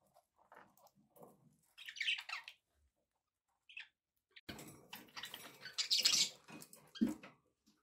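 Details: Pet budgies with a few high chirps early on, then a dense, noisy stretch of chattering and scratchy calls over low rustling.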